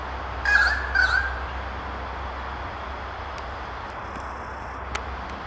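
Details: In Royal National Park south of Sydney, one of a pair of currawongs attacks a lace monitor climbing to raid their nest. It gives two loud, harsh, rasping alarm calls about half a second apart, then falls quiet over a low rumble.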